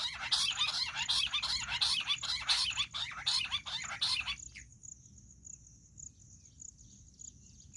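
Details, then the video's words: Jungle bush quail calling for hunters, a fast run of harsh, buzzy repeated notes about one and a half per second for four seconds, then stopping abruptly, leaving a thin steady high insect whine. "Amazing Quail sound || Battair shikar awaaz || Bush quail voice| baredd Junglee gundri awaaj"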